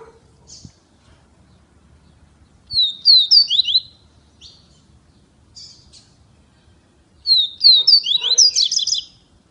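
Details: Double-collared seedeater (coleiro) from Feira de Santana, Brazil, singing two bursts of rapid, high, slurred whistled notes separated by pauses with a few isolated chips. Low background hum.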